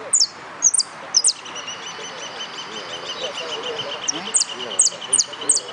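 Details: Yellow canary competing in a singing contest gives bright, high, clipped chirps in small clusters with a long pause in the middle, while people talk softly in the background.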